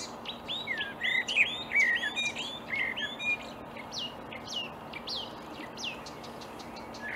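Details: Marsh warbler singing from reeds at dawn in May 2020, Upplands Väsby, Sweden; a fast, varied medley of sharp chips, buzzy trills and swooping whistles, about three notes a second, tailing into quicker clicking notes.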